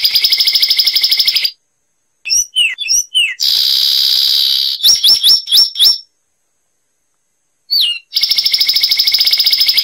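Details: Zapata wren, a Cuban bird, alternating long dense trills with bursts of twisting whistles and a run of five sharp repeated notes, clean with no other sounds.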